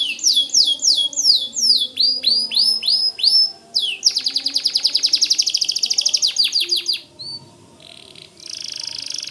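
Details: Lively white canary song, as a tutor recording for white-rumped shamas: curved upswept whistles repeated quickly, then a long fast trill of rapid notes that stops suddenly, ending with a short high buzz.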